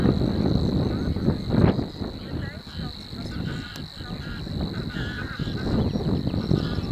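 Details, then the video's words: Two Savi's warblers reeling in De Onlanden, Drenthe, Netherlands, April 22, 2018, around 11:07. A continuous, level, high insect-like trill holds steady while strong wind buffets the microphone with low rumbling bursts. "Two Savi's Warblers / Twee Snorren"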